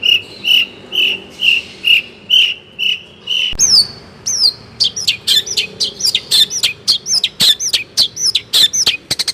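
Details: Long-tailed shrike tutor song packed with fill phrases: a steady row of pure whistled notes about two per second, then quick swooping downslurred whistles with clicks.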